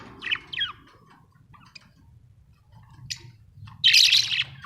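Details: Pet budgerigars kept at home: a few short rising chirps, then a loud harsh squawking burst near the end.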